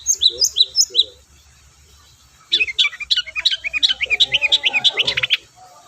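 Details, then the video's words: A long-tailed shrike's lure song, aimed at getting quiet shrikes singing: a few clear paired whistles, a pause, then a dense, rapid scratchy chatter of varied chips over faint low background noise. "BURUNG CENDET GACOR DORR PANCINGAN AMPUH CENDET SUSAH BUNYI"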